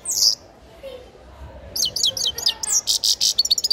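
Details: A grey-crowned goldfinch nestling singing: one high note at the start, a pause, then a rising series of quick high slurred chirps speeding into a rapid buzzy trill of repeated high notes.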